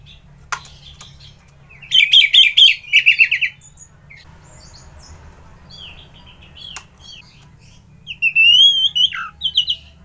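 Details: Orange-headed thrush song with scattered clicks, then two fast bursts of rich, rapid whistled notes, a quieter gap with odd calls, and a final slurred, looping whistle phrase, over faint hum.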